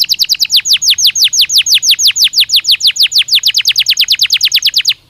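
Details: Belgian canary singing, used as stimulus audio for daily song training: a steady, rapid run of bright down-slurred whistled notes for about five seconds, evenly spaced, then breaking off abruptly into quiet.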